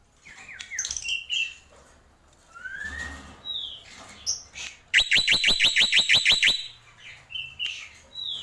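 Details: Jalak pito, the black-winged myna, in tembakan song: assorted whistles, a rising slur and squeaks, then a rapid machine-gun burst of about a dozen sharp notes before more whistled calls.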